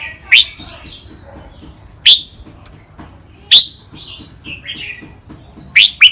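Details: Thai caged red-whiskered bulbul training song in 'rik', 'bernl', 'lak wai', 'mae bot' and 'nap dok' styles: separate loud, sharp whistled notes every one to two seconds, linked by soft bubbling warbles, ending in a quick double.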